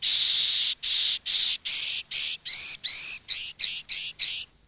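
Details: Common linnet singing in the campero style used to tutor young birds: loud, evenly spaced buzzy notes, shifting midway into curved whistled slurs and quicker twanging phrases.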